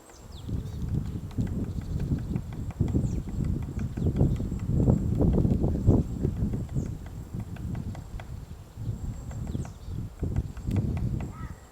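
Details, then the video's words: White-backed woodpecker digging a nest in a tree at Gongsanseong Fortress, Gongju, Republic of Korea, recorded 22 March 2024 in the morning: loud, irregular, dull knocking and chiselling blows, roughly two per second, rising and falling in strength. "둥지를 파는 큰오색딱다구리 White-backed woodpecker digging a nest"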